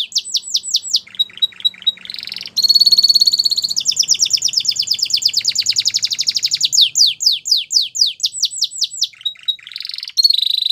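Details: White Belgian canary singing: a bright, high rolling song built from rapid repeated tours, with fast descending whistled sweeps, a dense buzzy trill in the middle and quick chip series, without pause throughout.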